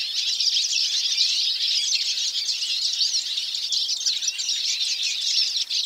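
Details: Hooded siskin (cabecita negra común) singing: a dense, continuous, rapid twittering of high, thin, jumbled notes and short slurs, running without pause across the whole stretch at steady loudness.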